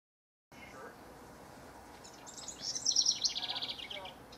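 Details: After a quiet start, a house wren, one of competing rivals recorded in June 2015, gives a single bright, gurgling trill that tumbles downward and lasts just over a second.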